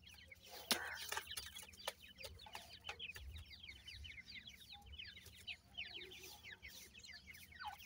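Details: Irani teetar francolin chicks keep up rapid thin peeping, dozens of short downslurred chirps in quick succession from several birds, with occasional clicks and a low hum beneath.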